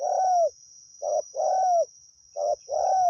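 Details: Wild spotted dove heard while being lured with a decoy, cooing in soft, low, hollow notes with a slight downward slide, repeated in a quick series, over a steady high hiss.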